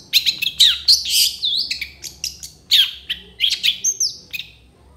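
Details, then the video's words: Long-tailed shrike singing a full mimicry-filled song: fast, varied high chirps, buzzy slurs and sharp notes in quick bursts, with brief pauses between phrases. "MASTERAN CENDET FULL ISIAN"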